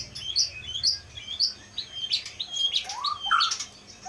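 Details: Wild-caught white-rumped shama from Aceh, caged since 2018, known for mimicking surrounding sounds; high whistled and chirpy phrases, then a descending slurred whistle and rapid varied notes, repeated in quick bursts.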